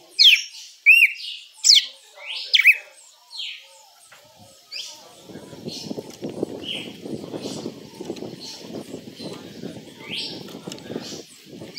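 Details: Red-cowled cardinal giving açoite-style song: four loud, sharp whistled sweeps in the first three seconds, then quieter, more distant notes over a steady low rustling noise.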